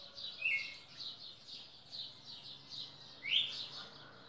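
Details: Red-cowled cardinal in Pernambuco, recorded 10 December 2017: two loud, rising slurred whistled notes about three seconds apart, over a steady buzzy chatter of pulsing high notes throughout.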